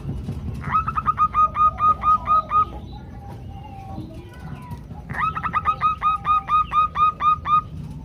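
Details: Female zebra dove calling a male, used to lure males into calling. Two bursts of about eight rapid, ringing, even-pitched notes each, separated by a pause with faint other bird notes and background noise.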